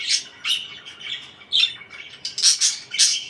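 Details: Parakeets chirping: short squawky chirps and bright harsh notes in separated bursts, loudest toward the end.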